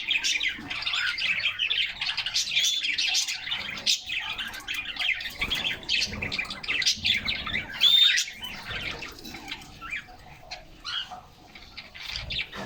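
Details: Caged canaries hopping and singing in unison in summer, filmed by a fixed camera inside the cage; lively high chirps and trills that thin out and grow quieter toward the end.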